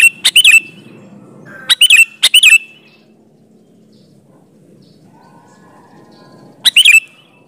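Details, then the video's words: Sooty-headed bulbul singing actively, a recording meant to draw replies from other bulbuls: short clusters of liquid chirping notes, two close together and one after a long pause, over a faint low murmur. "suara burung kutilang gacor ampuh buat suara pancingan kutilang agar nyaut"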